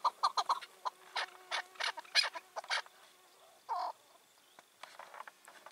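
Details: Wild chukar partridge, five or six years old and free-ranging after release, on a June 2023 evening: a scatter of rough, uneven chattering notes, then a brief pause and a few faint notes.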